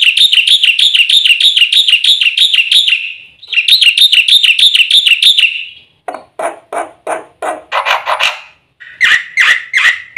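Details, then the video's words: Black-winged myna (white starling) song for luring and tutoring: two long runs of shrill, regular wavering notes, then a looser passage of lower harsh bursts and slurred squawks. "suara burung jalak putih full isian RAJANYA PANCINGAN - MASTERAN bikin gacor PAGI - SIANG - MALAM"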